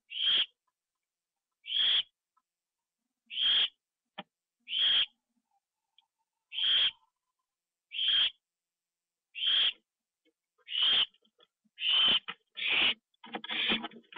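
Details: Owl, live nest cam, 1:52 AM on 25 September 2011, treat eaten inside: ten short harsh hissing screeches roughly every one and a half seconds, quickening at the end into a jumbled burst of rasping notes.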